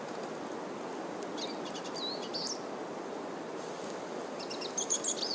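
Black-chinned siskin song: thin, high twittering phrases with quick chirps and slurred whistles, given in two bursts over a steady broadband hiss.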